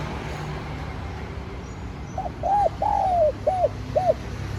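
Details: After a pause of low background rumble, a spotted dove delivers one cooing phrase to lure wild doves: a faint lead note, a rounded coo, a long falling coo, and two quick closing coos.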